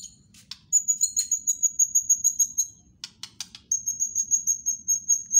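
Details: White-rumped shama song with a rapid, even trill of high piercing notes, about three per second in bursts, mixed with dry clicking ticks between phrases.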